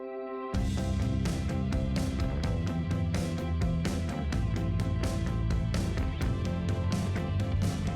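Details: Steady instrumental music with plucked guitar-like strings and a low rhythmic bass throughout; no animal voices can be heard.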